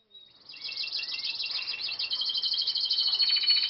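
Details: Canary song: after a brief thin whistle, a dense, continuous high trilled warble builds and grows louder, rolling steadily with fast pulsed notes and short rising glides throughout.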